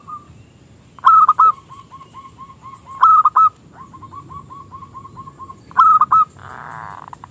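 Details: Small-voiced local zebra dove in crystal singing style, used as a lure to make rival doves sing. Loud trilled coo bursts recur about every two to three seconds, linked by strings of softer, rapid, evenly repeated notes.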